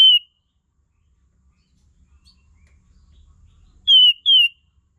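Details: Sooty-headed bulbul call used as a tutor sound to provoke singing: a single clear, slightly falling whistle, silence, then a quick pair of similar descending whistled notes, over faint low hum.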